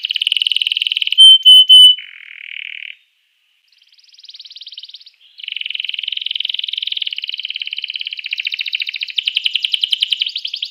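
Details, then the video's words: Canary song used to make competing canaries sing: buzzy high trills, a few piercing loud whistles, a brief pause, then long, steady, rapid trills that grow slightly louder. "suara kenari ini 99% jitu sekali membuat kenari lawan gacor"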